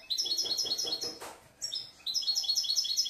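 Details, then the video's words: Last year's European goldfinch in song: quick, bouncing runs of high liquid twitters repeated rapidly, with a short gap and a soft harsh note before the tinkling phrase resumes. "Un poquito del jilguero"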